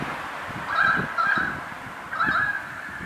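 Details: Currawong calling from atop a lamp post, three loud mid-pitched warbling, slightly rolling notes spaced about half a second to a second apart, with low traffic-like rumble underneath.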